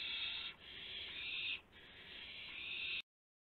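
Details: Owl recorded just after midnight on April 7, 2016, during a gopher delivery: drawn-out raspy screeches, one short and two longer, broken by brief quiet moments.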